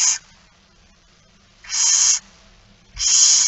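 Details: Barn owl during a feeding at 06:57 on 13 September 2019 in Friesland, three rasping hissed screeches, the last two longer and spaced by more than a second of near silence.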